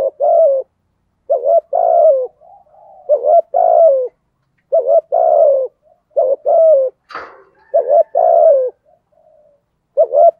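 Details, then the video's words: Spotted dove decoy cooing persistently in the thổ voice style, meant to set wild doves cooing back; low mellow phrases of a short note then a longer one, repeated about every one to two seconds, with a single sharp click midway. "cu gáy giọng thổ thúc gù cực đỉnh gáy dai dẳng bổi nghe phải gáy theo"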